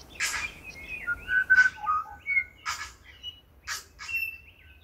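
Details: Feeding tui on Owairaka in winter, on banksia and Australian flame tree flowers, singing a varied phrase of pure whistled notes that step up and down, mixed with clicks and several short raspy wheezes.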